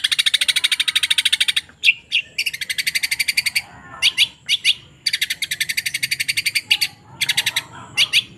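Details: Long-tailed shrike song, described as rich with sparrow material: fast rattling trains of sharp broadband pulses in bursts of one to two seconds, separated by brief gaps and a few isolated chips, with faint low background noise.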